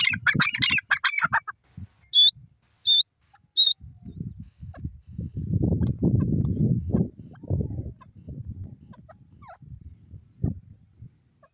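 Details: Wild grey francolin, known locally as teetar, gives a harsh, ragged burst of calling, then three short, high, shrill notes spaced under a second apart. Low rumbling noise and muffled knocks fill the second half.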